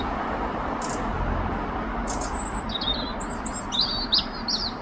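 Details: A European robin in London sings thin, high, quickly varied warbling phrases over the last two seconds, above a steady low rumble of distant traffic.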